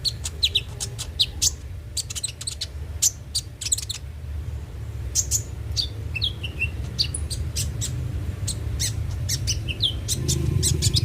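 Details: Konin (Van Hasselt's sunbird) lure song to encourage daily singing: lively stream of very high, sharp chips with occasional quick downslurred notes, fairly continuous throughout, with a low hum below.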